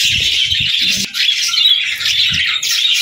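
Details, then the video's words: Budgerigars chatter and warble in quick raspy chirps, over soft low bumps and knocks. "Parakeet Videos | Beautiful Birds Singing"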